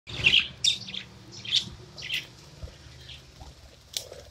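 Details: Pet budgerigar singing in a happy mood: a few short, scattered high chirps and squeaky notes, loud at first, then quieter and sparser, with a sharp tick near the end.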